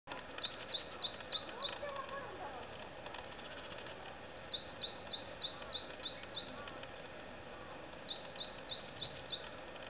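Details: A varied tit perched on a tree branch sings three bursts of high, thin, slurred notes, five or six in quick succession per burst, over a steady low rumble; the calls may be from a nearby Japanese tit.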